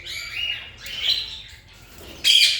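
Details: A nesting yellow ringneck parakeet, sitting in its nest box for four to five days and found with three eggs, gives three harsh, rasping, high-pitched squawks, the last loudest, over a faint household murmur.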